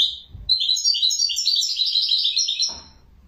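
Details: A single unbroken European goldfinch phrase, over two seconds of fast, bright, jangling twitters that rise and fall, ending in a soft low rustle.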